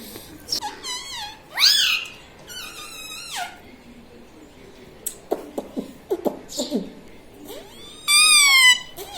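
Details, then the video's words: Pet ring-necked parakeet (mitthu) indoors, mimicking speech: several wavering, nasal, speech-like phrases with rising and falling pitch, scattered clicks in the middle, and a loud harsh rising phrase near the end. "Mummy vala parrot ||me toto me tota parrot singing||मिट्ठू मिट्टू|| मम्मी||"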